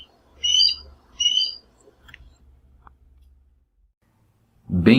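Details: Chestnut-eared aracari (Pteroglossus castanotis) from the Brazilian cerrado: two sharp, squeaky, ringing calls about a second apart, then quiet clicks and a man's voice starting to speak at the end.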